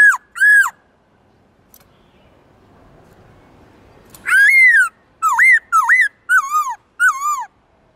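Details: Black-throated laughingthrush used for training, singing in a forest voice: loud, clear whistled notes that rise and fall, two short phrases, a quiet pause, then a run of five quick slurred whistles.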